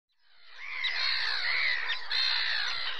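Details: Great reed warbler singing at Zámecký rybník, Chropyně, on 18 May 2017, recorded with a Nikon Coolpix P900: a continuous harsh, grating, croaky phrase that swells in and holds steady with rasping, chattering notes, with faint low rumble beneath.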